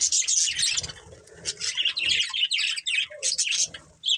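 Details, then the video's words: A breeding pair of budgerigars gives lively high twittering and squeaky chirps in quick succession, with softer warbling between louder notes. "Cute Budgies Chirping Sounds | Love Birds Breeding Pair"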